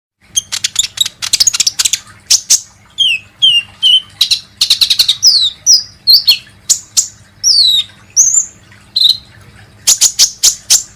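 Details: Kolibri ninja sunbird, a recording used as a lure to get birds singing: rapid high thin chirps and sharp downslurred whistles, some short trilled bursts, delivered in a quick busy run with brief gaps.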